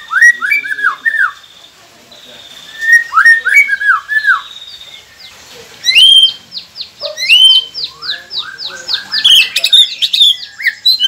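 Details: White-rumped shama song used to make captive birds sing, with steady high whistles, descending warbled phrases and a long series of rapid rising and falling notes, some sharp clicks mixed in.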